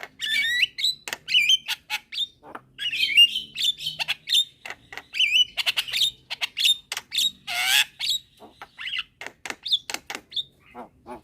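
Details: Midday calling by a young Javan myna with other mynas replying: dense bursts of clicks, twanging whistles and squawks, including one broad harsh screech partway through.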